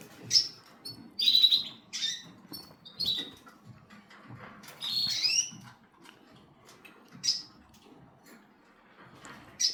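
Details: Cockatiel giving a series of short, sharp chirps and squawky upslurred notes, several in quick bursts with gaps between, over a low murmur of background noise.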